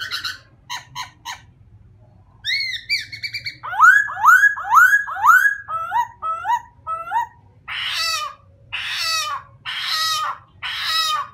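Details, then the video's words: Varied song of a white-crested laughingthrush: rapid stuttered notes, a nasal harmonic pair, a run of loud repeated upslurred whistles, short clipped notes, then broad harsh chattering bursts about once a second. "Best White-Crested Laughing thrush bird songs"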